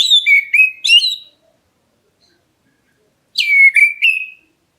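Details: Black-breasted Oriental magpie-robin calling to set other birds answering: two short phrases of three loud whistled notes each, sliding down then leveling, separated by about two seconds of silence.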